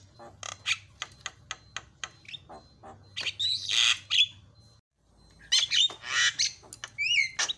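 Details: Javan myna calls to stir other mynas into calling: a series of short clicking notes, then harsh rasping squawks, a brief silence, and more squawks ending in two rising whistled notes; faint low hum underneath.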